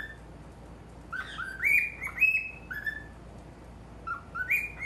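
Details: Male pet cockatiel in front of a mirror chirps in clipped whistled notes, climbing from lower to higher pitch in a short series, then quiet, then another brief rising group.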